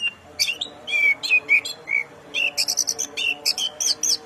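An orange-headed thrush sings a fast, varied stream of high sweet whistles and rich warbled phrases, with quick rising notes and short pauses between bursts.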